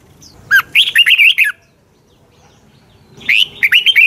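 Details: A training red-whiskered bulbul delivers its morning song: two lively phrases of clear, looping whistles, each about a second long, with near silence between them.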